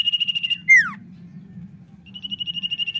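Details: Common iora singing vigorously: a steady, rapidly pulsed high trill, then a loud whistled note sliding sharply downward, and another pulsed trill rising in volume. A low steady hum runs underneath.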